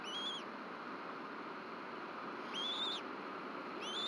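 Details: Bald eagles feeding their chick at a nest in Rome, Georgia, 26 March 2024, just after 7 pm. Slurred, arching whistles sound, with one at the start and a longer pair later, over constant background hiss.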